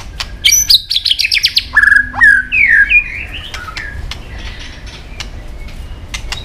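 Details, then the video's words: White-rumped shama in competition singing: rapid buzzy trill of high notes, then sweet sliding whistled phrases descending and rising, followed by quieter scattered clicks and faint chips. "chòe lửa đập đuôi nhấp cầu hót đấu giọng rừng dài"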